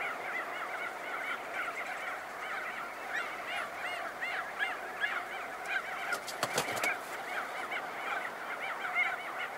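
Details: Crested auklets emerging from burrows, recorded close: continuous honking, wavering calls from many birds overlap, broken near the middle by a flurry of sharp wingbeat clatters.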